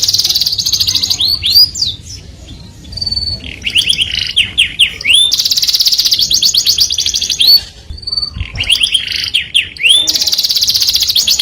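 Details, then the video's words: Melodious canary song, described as attracting the opposite sex: fast rolling trills, upward-sweeping whistles and steady pure notes in alternating phrases, with brief pauses between bursts. "o som melodioso de um canário atrai o sexo oposto junto com o som"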